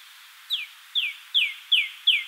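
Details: A red-bellied woodpecker calling at its nest hole in LaBagh Woods, Chicago, in May 2013, gives five short, high notes that slur downward, spaced about every 0.4 seconds, over faint background hiss.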